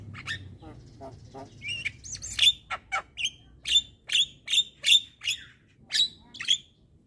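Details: Young Javan myna nodding its head while chattering nonstop; faint low murmurs give way to a run of loud, harsh, squeaky notes repeated about twice a second, each with a buzzy high edge.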